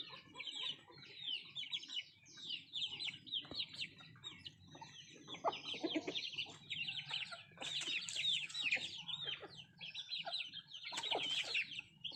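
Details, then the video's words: Native country chickens at food, with busy overlapping high peeping, occasional lower clucks, and loud pecking clicks and rustles. "Nattu kozhi Food eating and sound effect"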